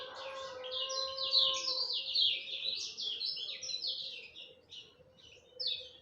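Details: Lemon-bellied white-eye song at dawn: lively, high, rapid notes in quick descending slurs, loud through the first half then breaking into shorter phrases, over a steady low hum.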